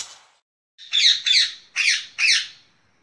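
Rose-ringed parakeet giving four harsh, shrill screeches in two quick pairs, each a rasping high squawk lasting under half a second; a faint earlier note precedes them.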